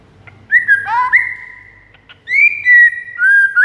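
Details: White-rumped shama song for luring a rival: clear mid-pitched whistles with a short buzzy trill, a pause, then long sustained fluty whistles that fall gently.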